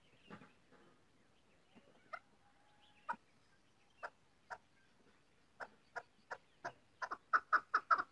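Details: Female chakor (chukar partridge): short, sharp clucking notes, sparse and soft at first, then steadily quickening and growing louder into a rapid run of about six notes per second by the end, against a quiet background.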